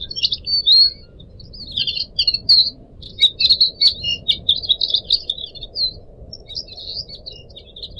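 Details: Pet Pied Triller singing steadily over a soft background of running water, recorded as a model for young birds to learn from; rapid runs of sharp high chirps and twittering notes, nearly continuous, with brief gaps.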